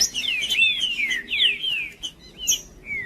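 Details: Green-winged saltator male in full song, used to stir up other males: a rich, continuous run of clear whistled phrases, each gliding downward, with a short final slurred note.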